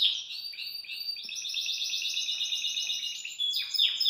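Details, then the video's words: Caged Belgian canary singing: a continuous high rolling trill of rapid, buzzy repeated notes that shifts pitch in stages, ending with a few clear whistled notes and quick downward-sweeping chirps. "Canário Belga Dá Um Super Show de Canto"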